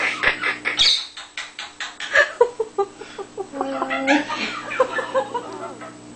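A monk parakeet imitates human laughter in a quick run of harsh, rhythmic 'ha-ha' bursts.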